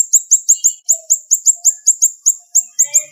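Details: Siri-siri bird, tutor recording of sharp, fast, dense bursting song; steady series of high, clipped, slightly descending chirps, roughly five per second, with faint lower whistled notes in the background.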